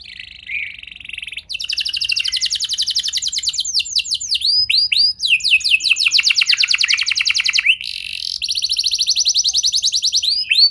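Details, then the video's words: Canary lure song to encourage other canaries to sing: a thin buzzy note, then long, fast rolling trills broken by swooping whistles, the trills changing pitch between phrases. "Pancingan Burung Kenari Biar Gacor Lagi!"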